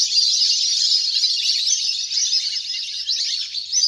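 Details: Large wild duck flock recorded in nature while playing on water, used as a lure to call birds down; a dense, unbroken chorus of high, sharp chattering calls overlapping throughout.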